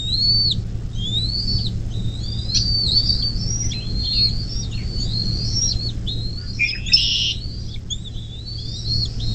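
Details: Bald eagle at the nest along the Little Miami National Wild & Scenic River, Ohio, USA, 24 May 2024, 10:12: a chattering string of high whistled chirps rising and falling, a brief rougher burst near the end, over a low hum.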